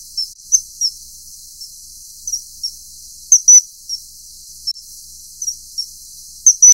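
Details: High thin whistled calls of a mating common kingfisher, Alcedo atthis, irregular single notes punctuated by louder doubled ones, over steady hiss.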